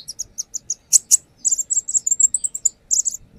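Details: Brown-throated sunbird showing off its repertoire as a lure: evenly spaced high chirps, two harsh bursts, then a rapid, slightly rising chain of thin squeaky notes.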